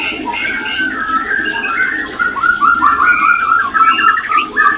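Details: Mating call of the white-rumped shama, played to bring on breeding condition: mellow whistled notes and quick warbled phrases, growing louder and more rapid toward the end, over a low steady hum.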